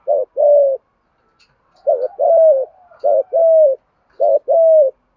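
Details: Spotted dove contest cooing to stimulate caged birds: three phrases, each a brief staccato note followed by a longer level coo, spaced about a second apart with near silence between.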